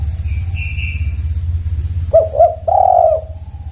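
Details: Spotted dove cooing: after a faint high thin whistle, two short clipped coos and a longer drawn-out rolling coo arrive near the end, low and mellow, over a steady deep rumble.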